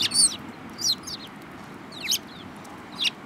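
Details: Close Eurasian tree sparrows, one with a yellow beak, 7 March 2018: four loud, downslurred chirps spaced about a second apart, the first strongest, with a quiet background.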